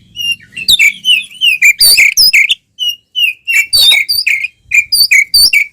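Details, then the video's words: Oriental magpie-robin in loud fighting song with open tail, intended to make other magpie-robins aggressive; strings of slurred, bright whistles in phrases, faint low hum at the start. "SUARA BURUNG kacer gacor NGEPLONG TARUNG BUKA EKOR ini paling AMPUH buat PANCINGAN KACER agar EMOSI"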